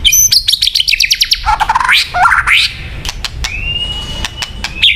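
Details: White-rumped shama song for luring birds: rapid descending chips, then rising buzzy sweeps and sharp clicks, ending in a long steady whistle.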